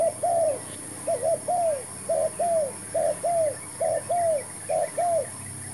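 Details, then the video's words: Spotted dove, a new decoy bird brought to lure wild doves into a trap; evenly spaced pairs of mellow arching coos repeat about every second, over a continuous high hum. "MEMIKAT TERKUKUR"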